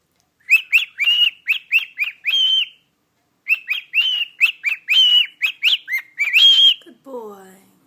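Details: Cockatiel singing "Jingle Bells" to its owner, two bursts of quick repeated whistles and held notes separated by a short gap, ending with a lower falling sound.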